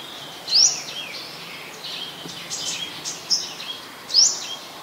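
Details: Olive-backed sunbird in a mangrove forest at a nature centre, giving short, sharp, high rising chirps: one at half a second, a faint one near three seconds, and another at four seconds. There is soft background hiss between the calls.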